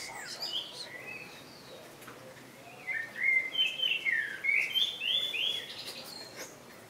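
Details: Common blackbird singing: after a quiet opening, a run of fluty, warbled phrases from about three seconds on, rising and falling in quick succession, each with a thin twittery edge, over soft background hiss.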